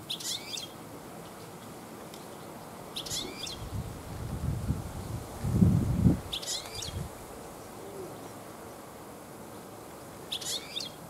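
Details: European goldfinches singing in a garden in late afternoon, many present this year: short, bright twittering bursts of high notes every three seconds or so, with a loud low rumbling noise in the middle.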